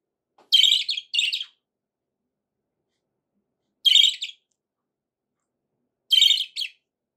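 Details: Budgerigar chirping, played for pet parrots: short buzzy, warbled bursts at high pitch, two close together, then single bursts about every two seconds with silence between.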